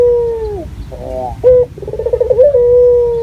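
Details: Local dove recorded as a lure to set other doves calling, clear natural voice: a long steady hooting coo dips and fades, then a rolling trill of quick pulses runs into another long even coo.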